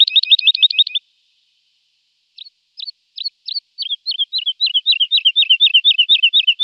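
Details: Singing lark: a quick trill of looping notes, silence, then spaced sharp chips that speed up and merge into a fast warbling trill.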